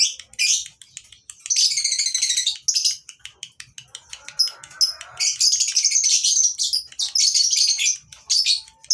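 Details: Lovebirds on a breeding farm, for tutoring lovebirds that have stopped singing: crackling rapid chips alternate with long, dense, buzzy chattering phrases; a soft lower murmur appears briefly.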